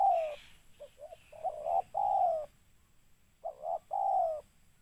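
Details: Spotted dove used as a trapping lure, giving soft broken notes, then a double note and a long sliding coo, repeated. A faint higher chirping shows at the start.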